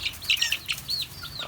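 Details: A young chick, which the owner suspects may be a little rooster, gives five or six thin, high chirps in quick succession, some sliding upward, over soft rustling as chicks are caught into a bucket of straw.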